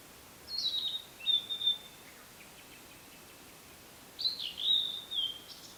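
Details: Wild blue-and-white flycatcher song from a forest in Yaita, Tochigi Prefecture, Japan, camera with external microphone: two whistled phrases of sliding, descending notes separated by a pause of over two seconds, quiet background.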